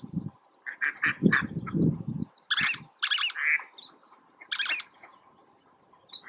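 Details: Least tern, Oso Flaco, May 31, 2019: scratchy chattering notes give way to several loud, harsh, buzzy calls spaced about half a second apart, mixed with low rushing wind noise.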